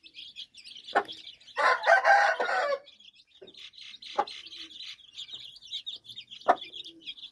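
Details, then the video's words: A hen with chicks gives a loud, rough squawk lasting about a second, then sparse single clucks, while the chicks keep up a steady high peeping throughout. "Mommy chicken with cute chicks"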